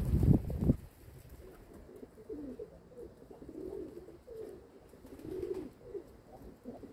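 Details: Kept domestic pigeons: a loud thump at the start, then a string of soft, arching, bubbling coos rising and falling over several seconds.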